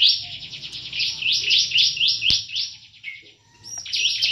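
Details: Kolibri kelapa, a plain-throated sunbird kept in a cage in Subang, Indonesia, in full ngobra song: quick, shrill, upward-sweeping chirps repeated about four per second, a short pause with a lower note, then bright chirping resumes.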